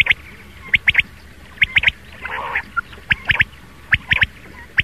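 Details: Rain quail morning call used to attract quail for hunting; sharp clicked pairs and triplets spaced about a second apart, with a brief rustling noise midway.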